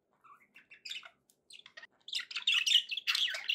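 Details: Pet budgerigars making happy sounds: scattered short chirps and warbles that build into louder, denser chattering in the second half, all high-pitched with no other sounds.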